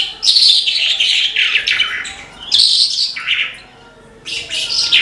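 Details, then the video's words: Lark, described as singing incessantly and unbeatable, delivers loud, rich bursts of chirping, trilled and slurred notes in phrases separated by short pauses. "BRANJANGAN GACOR TIADA LAWAN"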